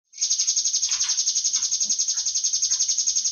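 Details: Cinereous tit giving a long, fast buzzy trill of evenly repeated high pulses, nearly four per second-tenth, running steadily for over three seconds.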